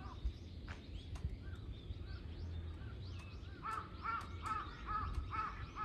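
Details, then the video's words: Three crows mobbing a hawk on 21 October 2023; scattered distant caws and clicks, then a loud, regular series of harsh caws in the last two seconds, about two per second, with low rumble. "3 crows vs hawk ,カラス,까마귀"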